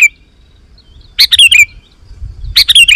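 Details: Vigorous song of a sooty-headed bulbul, played to draw wild bulbuls to reply: two quick bubbly phrases of tumbling chirped notes about a second and a half apart, over faint low rumble.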